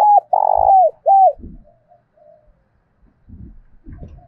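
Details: Spotted dove, 'thổ sấm' voice, giving a fight-urging coo for wild and decoy doves: three loud, low, falling coo notes, then faint murmurs and muffled knocks.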